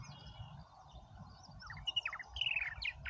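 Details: Purple martins at Oak Harbor, Ohio, busy around their site; sparse low murmur at first, then a run of gurgling, chirped notes and short rising whistles in the second half, over steady low background rumble.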